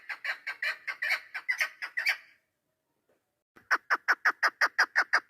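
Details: Chukar partridge hen kept for hunting, 3 May 2025, delivering a quick run of harsh clucks, a second of silence, then a crisp, evenly spaced burst of louder chuck notes.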